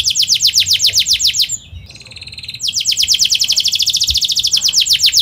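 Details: Canary singing at speed in a rolling style used as a tutor for juvenile canaries: a quick high trill, a short soft buzzy break, then a long, dense train of repeated whistled notes.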